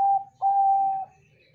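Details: Bangkok zebra dove with a big voice, played to coax other doves into calling back: one short clear coo, then a long, smooth, level note fading out.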